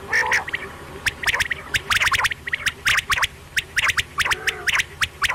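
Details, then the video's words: A quail at night gives sharp, high chirping notes in quick bursts of two or three, repeated irregularly over a soft background hiss. "Quail sound batair ki awaz"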